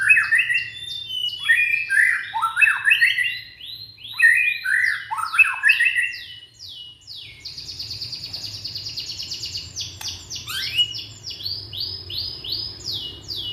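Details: Indonesian young white-rumped shama singing to prompt other shamas: rich downward-slurred whistles in quick series, a brief pause, then a high buzzy trilling passage mixed with sharp chips.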